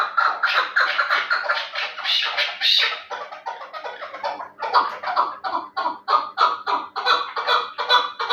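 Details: Chukar partridge of the Terali type, described as a fighting and hunting bird, giving a rapid, rhythmic series of harsh chucking notes that swell and fade in waves, with a faint steady hum underneath.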